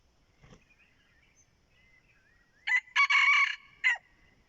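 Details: Red junglefowl crowing as a decoy to lure wild junglefowl: one short, harsh, broken crow of several clipped bursts ending in a falling note. Faint thin whistles of other birds come before it.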